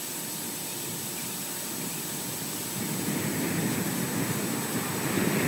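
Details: Steady broadband hiss like wind or rain, growing a little louder after about three seconds, with a faint constant high tone and no animal calls.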